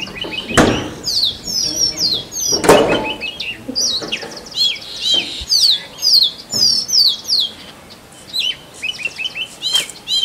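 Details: Male Oriental magpie-robin singing to attract a mate in forest; high, sweet whistled phrases with rapid slurred and looping notes, repeated in bursts with short pauses, plus a few low thumps and knocks.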